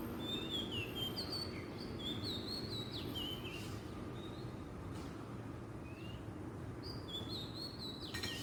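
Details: Wild Oriental magpie-robin song from Southeast Asia: bright whistled notes and short slurred phrases, with a pause in the middle before a final burst, over constant low-frequency background rumble.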